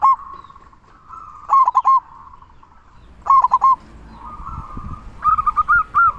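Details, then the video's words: Local zebra dove with a big 'kung' voice, used as a lure to rouse quiet doves: three loud bursts of quick, harmonic-rich cooing notes, with a steady murmur of softer cooing between them. "Perkutut Lokal Gacor Suara Kung Besar"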